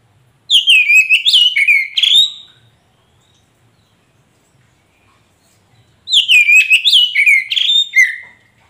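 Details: Magpie-robin (kacer poci) recording meant to prompt a non-singing caged bird to reply: two separate bursts of rich, fast, twisting whistles that sweep down from high notes, with a quiet pause of about three seconds between them.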